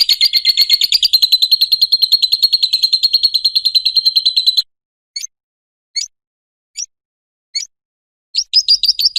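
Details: A lovebird's ngekek, used for training and provoking other lovebirds to sing. A steady, rapid, high trill runs for nearly five seconds, followed by isolated sharp chirps about a second apart, and a final trill burst.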